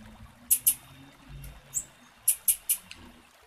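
Short, high, dry chip notes from a female blue-black grassquit, given singly or in quick pairs, about six in three seconds, over a faint low hum.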